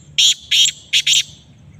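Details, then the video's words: A black francolin gives its rasping call: two drawn-out buzzy notes, then a rapid doubled note, the whole phrase loud and clipped and lasting about a second against near silence. "کالا تیتر کی آواز"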